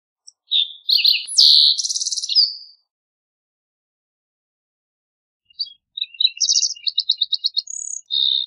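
Two bright, jumbled Green-tailed towhee songs, each opening with sweet slurred notes and breaking into a fast buzzy trill, separated by a few seconds of quiet.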